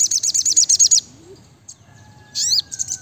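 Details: Brown-throated sunbird (sriganti, sogok ontong) singing in the lively 'gacor nembak rapat' style: a second of rapid, high, sharp looping chirps, about eight per second, then a hush with a faint low whistle, then another loud burst.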